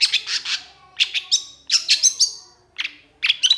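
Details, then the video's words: Long-tailed shrike (cendet, pentet) singing in the lively 'gacor emosi' manner: clusters of harsh chattering notes and short high whistles, given in groups of three or four and separated by brief pauses. "PENTET AUTO GACOR❗️Cendet Gacor Emosi"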